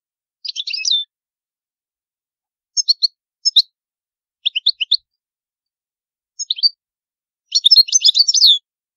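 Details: Goldfinch of the old Palermo Sicilian lineage: short twittering bursts, scattered chirp pairs, then a fast jangling warble near the end, crisp and free of background noise, intended to teach young goldfinches and hybrids.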